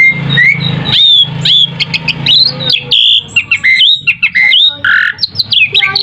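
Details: Asian pied starling song used as a lure to draw other birds into calling back: a loud, varied jumble of whistles, squawks and sharp chattering notes, over a steady low hum.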